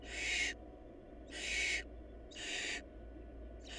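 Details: Barn owl nestlings in a family short of food call with harsh, hissing screeches, each about half a second long and repeated roughly every second, over a low steady background hum.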